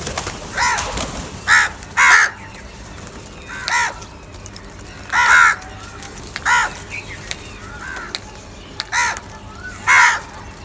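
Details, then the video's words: Crows fighting for food give harsh, angry caws in short bursts, some overlapping, spaced irregularly about every second or two, with faint thin whistles from other birds between them. "Angry kauwa ki awaaz | Crow bird Fight for Food"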